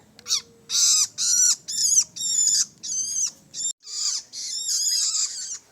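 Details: Young long-tailed shrike giving loud grating calls with descending undertones, repeated about twice a second, ending in a longer continuous rasp.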